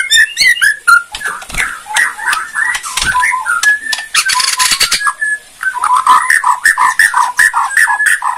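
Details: Borneo white-rumped shama delivering kretekan song to provoke other shamas: dense fast chatter of whistles, harsh rattles and clicking bursts, then a run of rapid short notes repeated in even groups.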